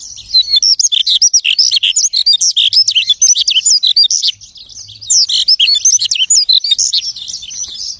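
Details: Lark copying other birds' songs in a dense, unbroken chatter of high trills and rapid chirps, barely pausing, with one short dip in loudness midway.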